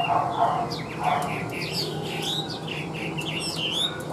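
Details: Tame caged Chinese hwamei: a string of bubbling, looping whistled notes rising and dipping in quick sequence, preceded by a couple of dull low knocks and a soft background hum.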